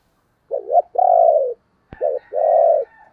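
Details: Decoy spotted dove calling to lure others, giving two cooing phrases, each a short wavering note then a longer, steady, slightly falling coo, with a faint whistled tone and a click between them.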